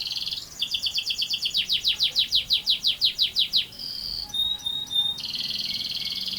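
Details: Canary singing a long rolling song: a short buzz, a run of loud descending sweeps about four per second, then chips and a long steady roll.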